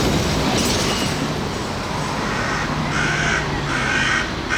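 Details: Crows caw in central Belgrade, 2021, where they attack people; a few harsh cawing bursts in the second half over steady loud city traffic noise.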